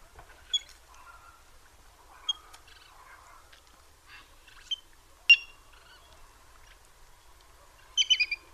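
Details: Little grebe calling: sharp, high, clipped notes at irregular intervals of one to two seconds, closing with a quick burst of four rapid notes, over a faint continuous chattering murmur.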